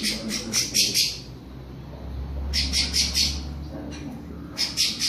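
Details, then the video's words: Creamy-bellied thrush warming up its classic song: short bursts of two or three high, bright notes, separated by pauses of about two seconds, over a low steady hum. "SABIÁ POCA ESQUENTANDO CANTO CLÁSSICO"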